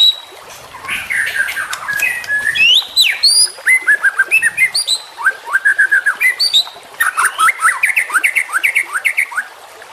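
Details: A young white-rumped shama delivering its tutoring song: a long, rich medley of slurred whistles and rapid chattering notes, with downward sweeps and quick rhythmic bursts throughout.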